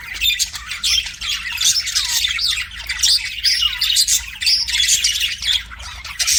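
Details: Pet budgerigar singing to a mirror indoors: dense, continuous chattering warble of high chirps, squeaks and scratchy notes, with a steady low hum underneath.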